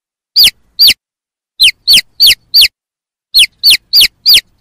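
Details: Young chickens peep in clean, piercing notes, each sweeping down in pitch, delivered in small groups of two to four with brief gaps between.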